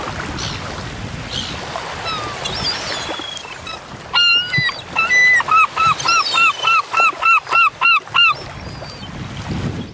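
European herring gull giving a rapid run of about a dozen loud, arched yelping notes, roughly three per second, after a stretch of low rumble and faint bird calls.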